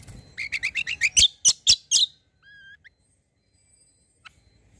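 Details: Kecial, a white-eye, singing as a lure to make other birds respond: a rapid run of bright chirps that ends in several loud, sharp notes, followed by two soft whistled slurs and near silence.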